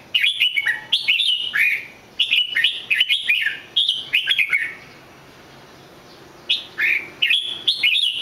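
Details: Red-whiskered bulbul pouring out repeated lively whistled phrases, short slurred notes in rapid runs, then a pause of about two seconds before the song resumes with further bright phrases.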